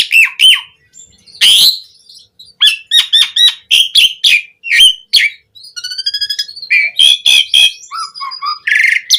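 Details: Asian pied starling singing vigorously in a medley meant to train kept starlings: loud whistled slurs, a harsh burst, rapid repeated notes, a soft trill, and descending whistles.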